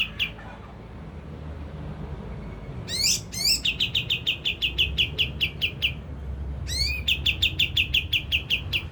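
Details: Olive-winged bulbul song used as a lure to make other birds agitated and sing: after a quiet start, rising sweeps lead into fast runs of short, even notes repeated several times a second, over a low background hum.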